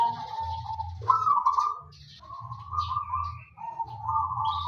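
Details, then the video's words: A zebra dove of local wild stock, in full song as a lure for other doves, gives drawn-out purring coos, one stepping up in pitch, with soft low thumping noise behind. "perkutut lokal alam gacor untuk pancingan pada bunyi"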